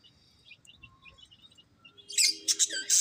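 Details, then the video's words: Budgerigar chirps: soft, thin whistled notes at first, then a sudden loud burst of scratchy, high chatter in the last second. "Beautiful Budgies Chirping Sounds"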